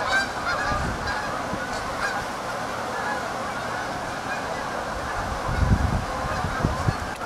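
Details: A big gathering of geese keeps up a constant honking chorus, with deep low rumbling bursts underneath near the middle and end.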